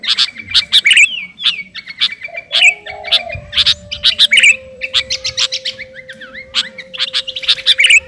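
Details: Sooty-headed bulbul of the garuda type, singing energetically while calling to a rival: a busy stream of sharp, bright chirps and short high notes in irregular bursts, with a faint steady low hum underneath.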